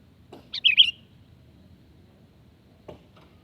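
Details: Sooty-headed bulbul calling, meant as a lure that draws birds to reply: one quick chattering phrase of four or five sharp, slurred chirps near the start, then a faint click and steady low hum.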